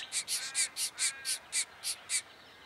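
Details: Diamond firetail, Victoria, Australia, November 2014, giving about ten loud, harsh nasal notes spaced fairly evenly, each a quarter second apart, over under three seconds against a quiet background.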